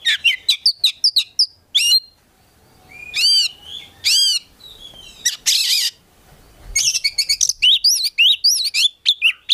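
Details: Oriental magpie-robin, a promising young bird kept in a collection, singing in the vigorous gacor style full of isian fill-ins: rapid chip bursts, then loud repeated arched whistled notes, a harsh rasp, and closing fast high twitters.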